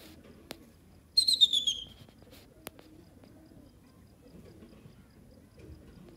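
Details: Pet pheasant, known locally as Irani teetar, kept at home during the breeding season: one loud, high whistled note slurring downward for about a second, plus a couple of sharp clicks and quiet room noise.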